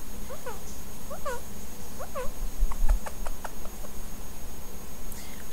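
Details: Female violet Indian ringneck parakeet, a pet indoors, angry and jealous while her owner holds a lovebird: four harsh descending squawks over the first two seconds, then sharp clicks and a noisy room background.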